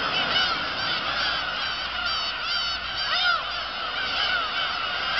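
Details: Crowd of black-tailed gulls on Kabushima, Japan, 2 August 2012, following a fireworks display, producing nonstop nasal, rising-and-falling mews from countless overlapping birds, with a few clearer arched cries standing out.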